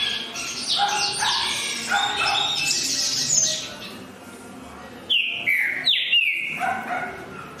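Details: Green-winged saltator singing: after a busy opening of overlapping chirps and background noise, loud clear downslurred whistles come in quick succession near the end.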